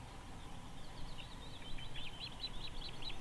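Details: Osprey at a 2021 nest site in South Estonia's Võrumaa county, close to a river: faint high notes growing into a clear series of piping, arched whistles, roughly five per second, above low rumbling background noise.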